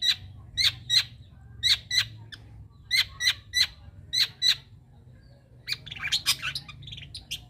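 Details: Young wild long-tailed shrike giving a series of sharp, harsh, evenly spaced notes, about eleven in four and a half seconds, then a pause and a burst of scratchy, jumbled chatter.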